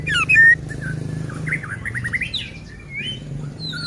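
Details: A white-rumped shama sings as a provoking lure for other shamas. Two bright whistled notes open, then soft jumbled twitters and chirps over a constant low droning hum.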